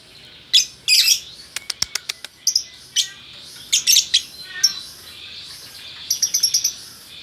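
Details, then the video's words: Male and female lovebirds, a vocal gacor pair in Bukittinggi, West Sumatra: busy shrill chattering with sharp clicks, squeaks and buzzy high notes running almost continuously. "Burung Lovebird Jantan Betina Bukittinggi Gacor"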